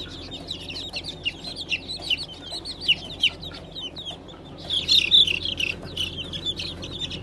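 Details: Newly hatched Brahma chicks of Light, Gold and Blue varieties, hatched 20 April 2020: a dense chorus of high, downslurred peeps from many chicks, swelling louder near the end, over a steady low hum.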